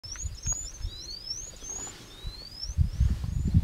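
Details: An Indian bushlark at Pune in September 2019 gives thin, high, sliding whistles in a quick run of short strokes, over steady low wind rumble and some bumping.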